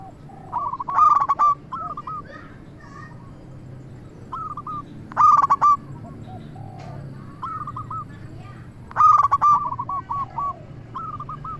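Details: A local zebra dove singing to lure and excite other doves, delivering three well-spaced phrases of clipped rapid notes and a ringing coo, with quieter coo notes and a low background hum between.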